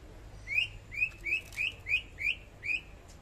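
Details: Greater green leafbird from Kalimantan singing vigorously: a run of seven short rising whistled notes, each sliding upward with a bright overtone, repeated about three times a second over faint low background hum.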